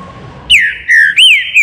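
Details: Green-winged saltator singing in the baruc style: loud, rich whistled phrase of long sliding notes, one rising then falling, delivered in a quick burst over faint background noise.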